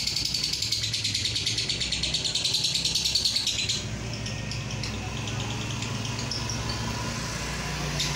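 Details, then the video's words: Lovebird ngekek song in the Roroh style, used as masteran to prompt other lovebirds to sing long: a fast, even trill of high repeated notes in the first half, fading later, over a steady low engine-like hum. "Masteran suara lovebird Roroh"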